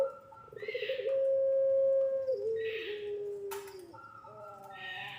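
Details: A puter pelung dove lure recording meant to train young doves: a single long, low, sustained coo that drops slightly in pitch, then stops, with a short sharp noise and a fainter note after it.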